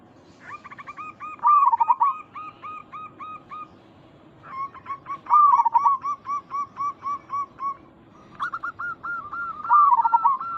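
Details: Local zebra dove lure call used to make other zebra doves answer: three bouts of quick, evenly repeated soft coo notes, each bout with a louder warbling trill near its start.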